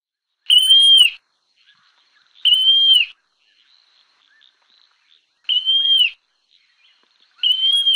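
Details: Montane nightjar (Caprimulgus poliocephalus), known locally as ملهى الرعيان, singing: shrill, slightly arched single whistles, each under a second long, spaced about two to three seconds apart. The background is quiet.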